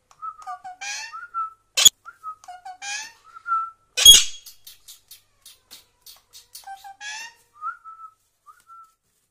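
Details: Pet parrot speaking, repeating short whistled and warbled voice-like phrases with sharp loud squawks in between and scattered soft clicks.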